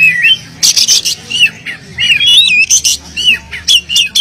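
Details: Vigorous, nonstop oriental magpie-robin song full of varied fill-in notes, meant to stir mute magpie-robins into singing; quick slurred whistles alternate with loud, rasping buzzy bursts in short, tightly packed phrases.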